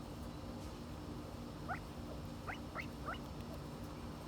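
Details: Silver pheasant in the United States: four short, thin rising chirps close together midway through, each sweeping quickly upward, over a steady low hum and faint background noise.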